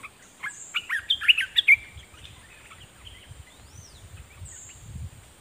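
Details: Decoy red-whiskered bulbul singing at wild birds: a brief fast phrase of bright warbled, chirpy whistles in the first two seconds, then quiet with a faint thin rising-falling whistle, steady high hiss and soft low rumbling.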